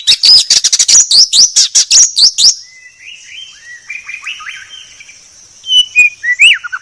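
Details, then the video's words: In a clear masteran recording for tutoring, a white-rumped shama delivers a rapid, high stream of sharp rising chips, then quieter soft whistles, and ends with renewed loud notes. "Masteran Murai Batu Paling Jernih"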